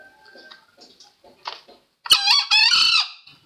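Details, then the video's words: Green junglefowl crow, used as a trapping lure: after soft scattered background noises, a sudden sharp note and then a hoarse, strained, high two-part crow lasting about a second. "Suara ayam hutan hijau ampuh buat pikat!!"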